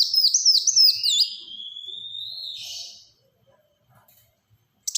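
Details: Black-throated sunbird singing in the rapid-fire 'tembakan rapat' style used for luring and tutoring birds: a fast run of high, hooked whistled notes, then a long thin rising buzz that fades out, with a brief sharp burst at the end.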